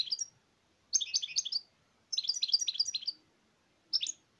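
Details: European goldfinch singing in bursts of rapid, liquid twittering notes, a short opening phrase, two longer tumbling runs about a second each, then a brief final flourish, all high and bright against a quiet background.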